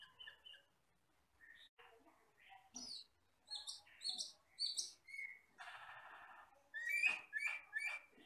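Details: Skittish forest-dwelling Asian glossy starling, jet black with red eyes, giving mixed chattering notes, then a quick series of sharp high whistles, a harsh rasping burst, and a final string of loud ringing whistled notes.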